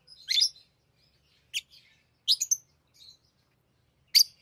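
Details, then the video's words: Shrill, scratchy chirps from tame lovebirds at play with rings come in separate bursts of one or two notes, spaced unevenly with quiet gaps between. "Love birds Talking | Singing Sounds"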